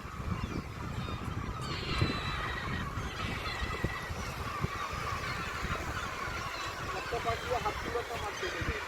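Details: A dense chorus of thousands of gulls on the coast of Oman: overlapping harsh, nasal cries rising and falling without pause, over low rumbling wind and occasional human voices.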